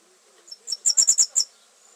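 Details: A red fody (Foudia madagascariensis) sings a quick burst of about seven very high, thin, sizzling notes in under a second, clean against a quiet background.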